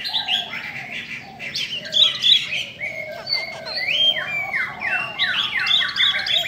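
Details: Female Chinese hwamei rousing males with bright, falling whistled phrases repeated in quick runs, rising toward the end, over a soft lower warbling background.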